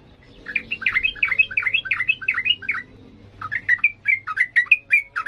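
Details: Sooty-headed bulbul singing excitedly in the 'ngalas' style, offered as a model for training young birds: a run of quick, bright, rising-and-falling chirped notes, a brief pause, then another rapid series of sharp chirps.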